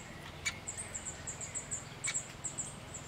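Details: Great spotted woodpecker with its young at a private bird-protection site: a rapid series of very high, thin squeaky notes, several per second, broken by two sharp, abrupt clicks.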